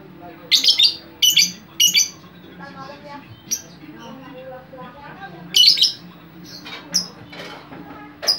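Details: Noisy lovebird chatter used as a lure for other lovebirds: loud grating squawks in a quick trio, then softer chittering and warbled notes, another harsh burst and scattered sharp chirps, with a low hum throughout.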